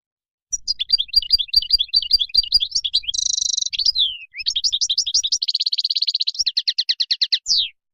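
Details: Wild goldfinch song played for young birds to learn: steady quick twittering notes, a dense buzzy rattle, a downslur, then an even fast trill and separate chirps ending on a falling note.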